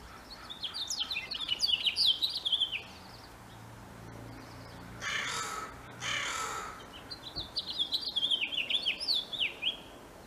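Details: Male house finch in the spring mating season delivers two bursts of rapid, tumbling high warbling, each a few seconds long, separated by loud rushing noise bursts, like wind or handling.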